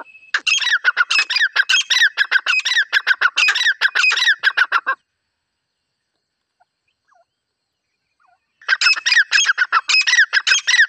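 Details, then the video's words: A hunting call of a female grey francolin: long runs of fast, harsh, squawking notes, broken by a silent pause of several seconds before calling resumes. "Dise female titar ki awaz"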